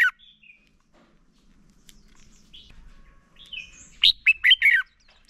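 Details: Training lure from a male red-whiskered bulbul: a few soft whistled slurs followed near the end by one loud, quick phrase of four or five falling warbled notes.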